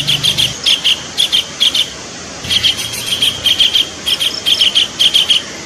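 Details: Kingfisher notes played as a bird lure: clipped, harsh high calls delivered in loose groups of two or three, with a faint low drone in places.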